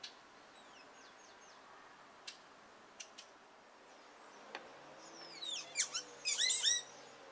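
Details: A male Carib grackle courting his mate sings a burst of sharp, squeaky whistles sweeping up and down, preceded by a few dry clicks and faint thin notes, over a low hum.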